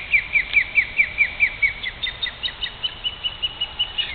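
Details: Male and female ospreys at a nest in Great Neck, New York, alarmed by a person nearby: quick series of high whistled yelps, about two per second, with a second, slightly higher overlapping series joining halfway through; soft outdoor hiss.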